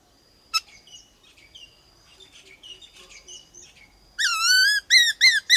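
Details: White-cheeked laughingthrush in varied wild-style song meant to rouse other birds: faint scattered chirps and a sharp click, then a burst of loud, bright, rising whistled notes in quick succession at the end.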